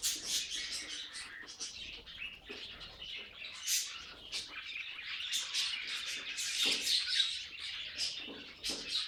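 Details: Household budgerigars in steady chorus, fast twittering chirps and clicks punctuated by sharp high squeaks, swelling louder toward the end.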